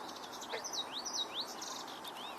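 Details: A nearby Eastern Kingbird on 11 July gives a rapid run of high, sputtering, zinging notes, several sharp slurred chips in quick succession over a soft outdoor hiss.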